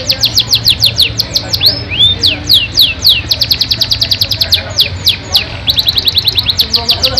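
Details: Yorkshire canary singing a lengthy, ornate song: a steady stream of sharp descending notes, a brief rising swoop near the start, then tighter, faster trills toward the end, with a soft background hum.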